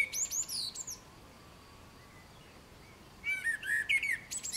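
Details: Common blackbird giving two short song fragments split by a silent gap: high thin twitters and a falling whistle, then a fluted warble with squeaky trailing notes.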